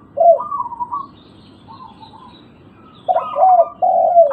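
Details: Lure recording of a local zebra dove meant to make quiet birds answer: a low coo, then soft stuttered notes, a gap, and a loud phrase of rolling coos sliding down in pitch.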